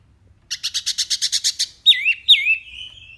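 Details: Wambi mini sings a crisp tutor phrase for training pet birds: about ten rapid buzzy notes in an even series, then two loud whistles that drop and trail off in a thin ringing tone.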